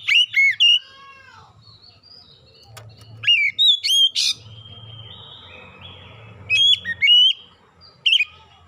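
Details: Oriental magpie-robin lure song to draw birds into singing: short groups of two or three loud, looping whistles, returning every few seconds, with faint high background twitter and a low hum between phrases.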